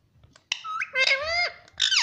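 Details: Ringneck parrot, said to talk and say 'mummy', produces a sustained, sliding, voice-like harmonic utterance ending in a falling tone. A further loud syllable follows.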